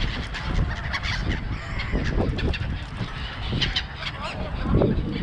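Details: Crowded seagull flock at Songdo, Busan: short, harsh honks and yelps tumble over one another without pause, louder toward the end, set against a dense low rumble and faint human voices.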